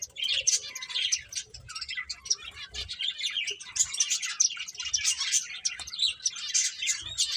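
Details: Several finches playing together, giving a dense, continuous chatter of high, quick chirps and twitters that overlap without pause.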